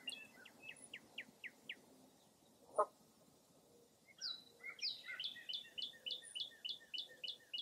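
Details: Wild birds at Mirror Lake State Park, Baraboo, Wisconsin on a foggy early April morning: a slower run of clear chirps, a lone harsh call, then a dense, rapid chirping trill.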